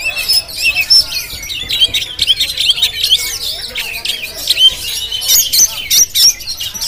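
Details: GoPro recording of a Jampang Oriental magpie-robin singing fast, varied high notes, with chirps, bright whistles and harsh squeaks in repeated bursts.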